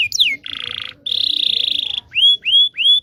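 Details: Local Indonesian canary song for teaching young canaries: a falling whistle, a rolled buzzy trill, a long steady high trill, then three rising looped whistles.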